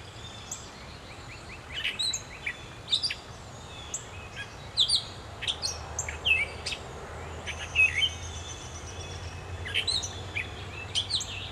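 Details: A gray catbird sings at dawn in July in Pennsylvania: a long, rambling run of varied squeaky, chattering and slurred notes with barely a pause, over a faint low steady hum.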